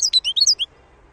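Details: Wild European goldfinch, called khalawi locally, from Algeria: a brief burst of six bright, high twittering notes, some sliding down, lasting under a second, then quiet.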